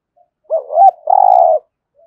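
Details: Spotted dove cooing in the thúc gù style, used daily to stir other doves into calling: two short, low hooting notes, then a longer, steady, slightly trembling coo, in otherwise quiet surroundings.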